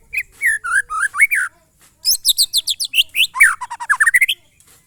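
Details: White-rumped shama singing a monotonous song, locally called glondong: two bursts of rapid varied phrases, first slurred whistles, then dense high chirps and a descending-rising run of repeated notes, with short pauses between bursts.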